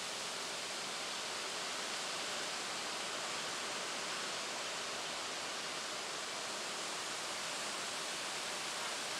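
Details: Continuous hiss of rushing water, like a waterfall or stream, fills the whole range, with no animal calls.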